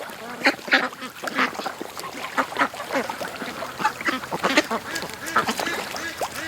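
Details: Many domestic ducks calling as they rush from their pen to a creek in the morning after being held back an extra hour; dense overlapping harsh quacks, loud and continuous, many birds at once.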